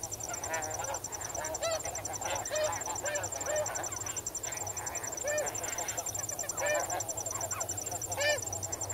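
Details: Nearby snow geese in a flock on the water give a steady stream of high, nasal, down-curving honks, several voices overlapping, over a constant cricket trill.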